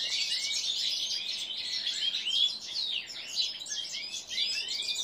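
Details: Seven-month-old common linnet × canary hybrids, kept caged among major goldfinches and other goldfinches, sing a dense, continuous twittering of high, quick warbles and short rising notes without pause.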